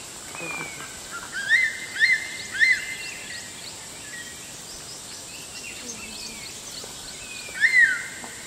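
Crested serpent eagle giving three clear, high whistled notes about half a second apart, then a longer slurred whistle; a steady insect hiss runs underneath.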